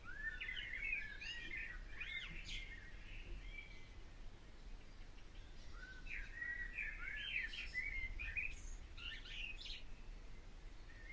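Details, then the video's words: Barn swallow: two bouts of looping, gurgling twitters separated by a quiet gap, over a constant low rumble. "O canto da ANDORINHA-DAS-CHAMINÉS/BARN SWALLOW SONG (Hirundo rustica)"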